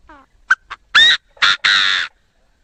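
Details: Crowing Chinese francolin, a clean recording meant for a bird-trap loudspeaker. A soft nasal note and two quick clicks lead into three loud, rasping notes of rising length, the last held longest. No other sounds.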